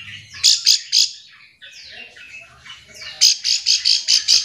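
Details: Bar-winged prinia calling other birds to get them singing in reply; three loud buzzy notes, a soft twittering gap, then six even, piercing notes in quick succession.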